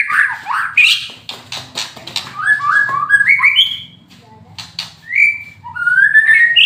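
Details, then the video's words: White-rumped shama in moult, a fighter bird, singing varied phrases: harsh clicks and chips, then stepped whistled notes and rising clear whistles, with a faint low hum. "kretekan murai mabung fighter tembak LB"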